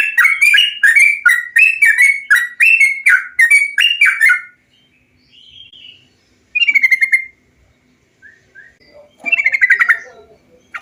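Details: Bulbul song for training other bulbuls to sing; rapid run of bubbly, slurred notes for four seconds, then scattered short whistles and two later bright chattering bursts separated by silence.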